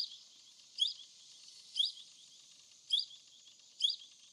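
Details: Plum-headed parakeet in the wild giving short, high, squeaky notes about once a second, over a steady hiss of insects or distant background noise.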